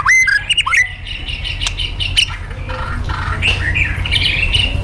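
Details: White-rumped shama of fighter type in a provocation recording, kretekan and tembakan style: sharp whistled notes and harsh squawky calls at the start, then softer scattered notes over a steady low rumbling background noise.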